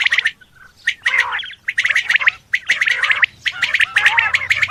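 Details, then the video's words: A male Coturnix quail calling gives harsh, gurgling chatter in quick bursts, each rattling for about half a second with short gaps between. "Male Coturnix Quail Calls / Sound"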